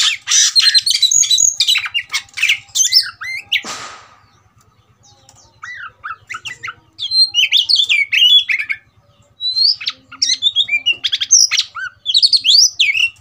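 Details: Kacer, the Oriental magpie-robin, provoked to fight: bursts of loud whistled and harsh chattering notes, a short hiss, a quiet gap, then more rapid varied phrases; steady faint low ticking throughout.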